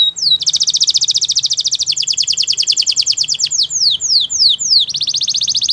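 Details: Bright, rapid trills from a Spanish Timbrado canary, with dense pulsing rolls broken briefly by a few slower falling whistles before the rapid trilling returns.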